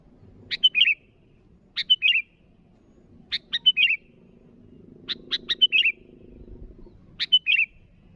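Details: Five brisk phrases from a sooty-headed bulbul calling its rivals. One phrase opens with a quick run of sharp notes, and each ends in a bubbly whistled flourish. A low drone sounds in the background.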